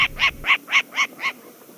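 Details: A Short-eared Owl in Montana open-grassland habitat gives its alarm bark: six harsh, nasal barks, about four per second, fading toward the end, like a small dog yapping.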